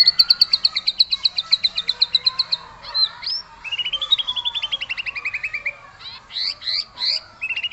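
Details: White-rumped shama singing aggressively to provoke other birds: a long fast trill of repeated high notes, then a descending rattling series and several loud looping whistles.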